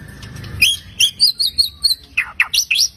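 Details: White-rumped shama song with a full repertoire, played to attract other shamas: a series of clear, high, evenly spaced whistled notes followed by quick downward-sweeping chips.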